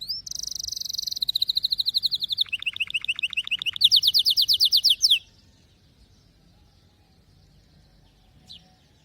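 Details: Canary singing a fast varied phrase: a high buzzy trill, then quick downward-sweeping rattling notes, then a brighter high trill that stops suddenly, followed by quiet and one faint chirp.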